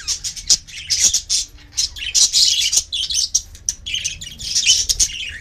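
Budgerigars chattering with dense, scratchy chirps and warbles in quick, overlapping bursts.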